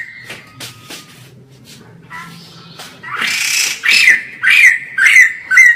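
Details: White-crested laughingthrush, a caged bird recorded from a distance as tutor material: faint thin notes at first, then a loud rasping burst and four strong squawky phrases, each ending in a short whistled note.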